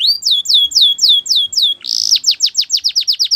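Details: Song of a Belgian canary: a series of high downslurred whistles about four per second, a brief buzzy burst, then quicker repeated sharp downward notes.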